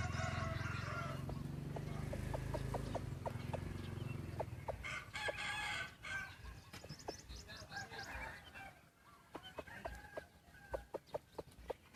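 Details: A white-eared decoy chicken gives a drawn-out, rich harmonic crow lasting about four seconds, then a run of short sharp clucks and ticking sounds against a low rumbling background.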